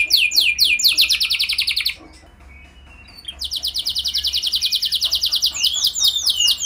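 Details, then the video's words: Canary singing as a lure to trigger song in other canaries: fast repeated notes and a trill, a near-silent pause of about a second, then a long rapid trill of repeated syllables. "Langsung Gacor Dor Burung Kenari Mana Saja Dengan Pancingan Ini! Pasti Nyaut Ikut Gacor"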